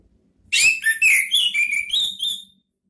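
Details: Orange-headed thrush (anis merah) song played as lure therapy for kept birds: a two-second run of rich whistled and slurred notes, some rising and falling, tumbling rapidly one after another, then silence.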